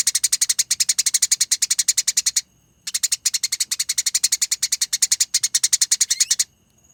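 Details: Eurasian tree sparrow in fighting (tarung) mode, a master-training recording of dense, long rolling chatter called konslet, ngerol and nyerecet: two long runs of rapid, harsh, evenly pulsed notes, about ten per second, separated by a brief pause.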